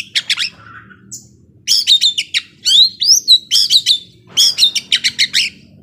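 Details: Intense song of a young forest Oriental magpie-robin: rapid rattling chirp series and twisting whistles in quick bursts, with a faint low hum underneath.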